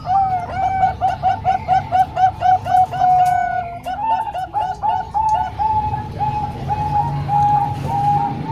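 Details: Training song for young zebra doves, combining three Bangkok-type birds and one local bird. A quick throbbing run of bubbling coos, roughly four per second, gives way to slower, longer, smoother coo notes.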